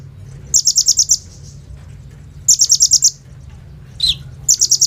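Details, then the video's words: Kolibri ninja sunbird song with rapid-fire 'bren rambatan AK-47' fill, phone-recorded as a lure to prompt other birds: short bursts of about six very high, fast buzzy notes repeated every couple of seconds, with one lower downslurred chip. "SUARA BURUNG KOLIBRI NINJA GACOR FULL ISIAN BREN RAMBATAN AK-47 !! COCOK BUAT PANCINGAN KONIN BAHAN"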